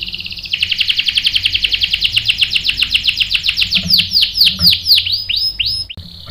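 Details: Canary singing, prompted by a female canary used as bait to get the male singing: a rapid series of sweeping high notes repeated about four times per second, ending in downward-curving whistles.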